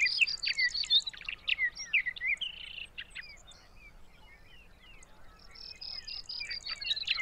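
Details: Sage thrasher at Arapaho NWR, Colorado, in June: a burst of fast, varied warbling with buzzy and whistled notes, a quieter gap of about two seconds, then the rapid song resumes.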